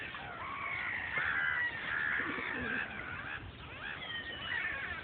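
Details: Gulls calling over a noisy background: drawn-out wailing cries blend together, some falling in pitch, with a steady hiss throughout.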